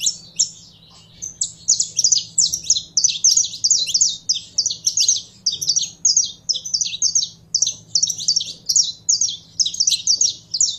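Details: Saffron finch, a caged Brazilian canário-da-terra being warmed up to sing, pouring out a long, nearly continuous stream of high, sharp chirped notes in quick repeated bursts, with a steady low hum in the background.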